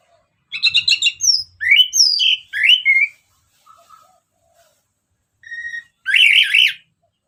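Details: Orange-headed thrush singing in ngeplong style, played as a lure to stir other birds into song: bursts of rapid, slurred whistled notes and trills, pausing mid-clip, then a single low note and a buzzy rising phrase.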